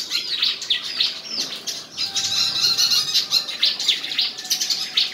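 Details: Contest singing by white-throated fantail at Tân Qui, Củ Chi: rapid, busy high-pitched chirps and short sweeping notes poured out almost without pause, in a tangled, overlapping stream.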